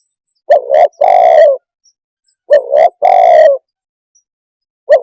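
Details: Spotted dove cooing in a steady cycle: a doubled short note then a drawn-out throaty croon, repeated roughly every two and a half seconds, close and clear against silence.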